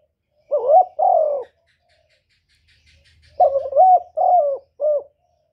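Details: Spotted dove, 2023: two mellow, slightly falling coos, a quiet gap with a faint low hum, then a phrase of a stuttering note and three coos, the last one shorter.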